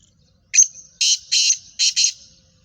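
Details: Female black francolin gives one sharp opening note with a thin whistled tail, followed by four loud, rasping notes in two close pairs, harsh and buzzy, against a quiet background.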